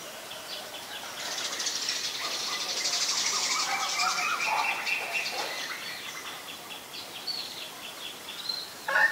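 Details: Common myna, Ubon Ratchathani, Thailand, recorded May 4, 2022 on a Nikon P1000: a long stretch of rough, scratchy chatter mixed with gurgling notes, fading into softer clicks, with a sharp note at the very end.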